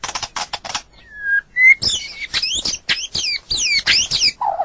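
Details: White-rumped shama on a bird-training recording: a few dry clicks, two clear whistles, then loud high notes sweeping sharply downward in quick succession, ending with a low buzzy note.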